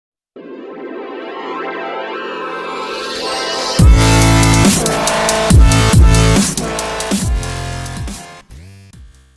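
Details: Electronic dance music rises from a building synth sweep into heavy bass drops and beats, with no bird heard.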